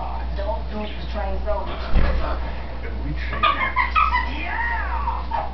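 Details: Female green-winged macaw talking up a storm indoors when she thinks no one is in the room: a run of speech-like babble with rising and falling tones and a few sharper, louder syllables near the end.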